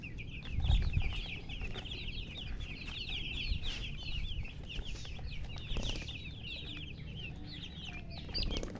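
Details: Domestic chicken chicks chirping nonstop, a crowded stream of shrill, quick peeps, some rising and some falling, over a low background hum with occasional bumps.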